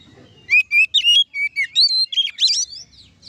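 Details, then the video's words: Ngeplong-style song of an oriental magpie-robin, used to stir rival magpie-robins to sing. A fast, continuous string of bright whistles, chirps and rising and falling slurs lasts a little over two seconds. "suara kacer ngeplong untuk memancing kacer laen emosi dan gacor"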